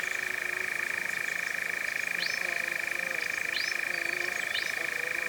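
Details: Sustained rapid churr from a European Nightjar, the year's first in 2026, Cefn Ddu forestry, North Wales, UK, recorded by Zoom F3 in a drop rig; faint rising chirps from other birds recur behind it.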